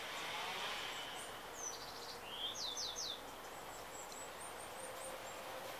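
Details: Bushtit recorded in San Diego, California, on January 16, 2017: thin, very high chips and a quick burst of slurred, rising notes near the middle, set against a steady, loud background hiss.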